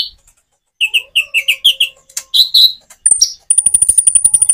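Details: Common iora song with natural pauses: a run of short, even chirped notes, then louder sweeping notes, ending in a long, very high, thin sustained whistle with rapid chatter beneath it.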